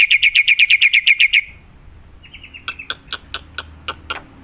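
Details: Black-winged myna in the wild, used as a bird lure: a fast run of about ten loud, harmonic chattering notes, then a pause and a scatter of sharp clicking ticks.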